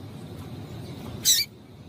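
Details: One sharp, high, slightly buzzy chip from a female double-collared seedeater, called to excite the male into song, over low steady background noise.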